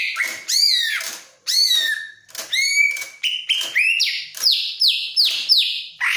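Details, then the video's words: A greater green leafbird, described as eager to mate, sings loud, varied whistled phrases, slurred and bright, some rising, ending in a quick run of repeated sweeping notes about twice a second. "Suara Burung Cucak Ijo Lagi Sange"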